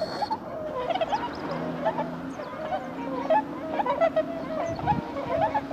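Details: A flock of swans alighting on water, 5 March 2016, during the season of returning north: steady overlapping bugling honks in a busy chorus, with a low droning hum underneath.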